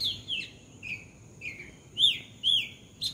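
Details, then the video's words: Short run of bulbul calls from a house roof: slurred whistled notes, falling then arched, roughly two per second. "Bulbul Bird in my house roof"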